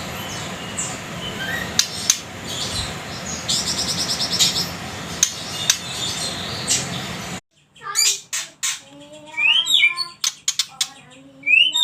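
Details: White-rumped shama, a spotted 'trotol' fighter bird: after several seconds of hissy noise and faint chirps, a loud varied burst of sharp swooping whistles and quick rising and falling phrases, with clicks between notes.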